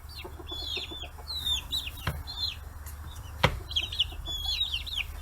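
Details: Forty-day-old chicks at fish heads on a free-range farm in Kitahiroshima, Hiroshima, Japan; bursts of overlapping peeps broken by two sharp knocks and a quieter gap, with a low hum throughout.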